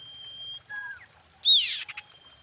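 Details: Female common iora calling a male: a long thin level whistle, a short downslurred whistle pair, then one loud sharp arching note followed by brief pulses.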